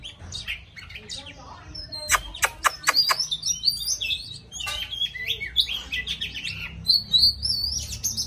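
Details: An oriental magpie-robin sings as it dances, mixing sharp clicking notes near the start with sweet whistles, short trills and sliding phrases delivered in quick bursts against a low steady hum.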